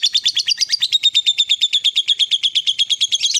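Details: Lovebird fighter singing in a long ngekek run, fast evenly repeated shrill chirps forming a steady rattling trill, high and piercing throughout.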